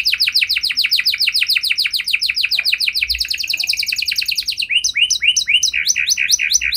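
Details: Canary song for making other canaries reply, made of rapid repeated chirp series that change to a different rhythm of paired, rising notes partway through.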